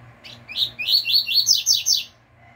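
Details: Teaching recording of a caged double-collared seedeater singing pure "tui tui" fibra: a rapid chain of about seven high, bright, upward-sweeping notes, the last ones climbing highest, with a soft low hum underneath.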